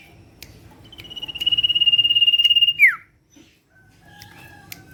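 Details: Common iora lure call: a rapid buzzy trill held on one high pitch for about one and a half seconds, ending in a sharp downward whistled slur, with faint clicks in the background.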